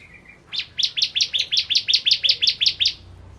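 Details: Bar-winged prinia of the ciblek kristal type from Indonesia, singing vigorously as a training recording for caged birds: a steady series of about a dozen rapid, high, rising chip notes with no other sounds.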